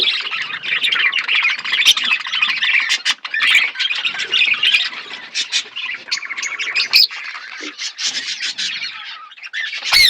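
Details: Flock of budgerigars chirping as they eat food: steady dense high chatter and warbling squawks from many birds, with a sharp click near the end.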